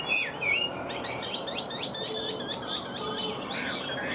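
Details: Tame captive Chinese hwamei with a fanned tail sings a quick series of repeated, sharply slurred whistle notes after a few looping phrases.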